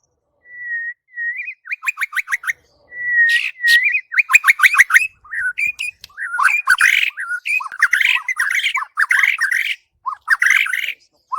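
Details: White-rumped shama, murai batu, singing a master song used to train birds: steady whistled notes, then rapid buzzy trills and a varied run of rich warbled phrases repeated in quick bursts.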